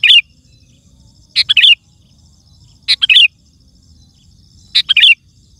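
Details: Loud, chatty sooty-headed bulbul song meant to draw wild birds and set other bulbuls singing: brief bubbly phrases of three or four quick liquid notes, repeated about every one and a half seconds, over a faint steady high tone.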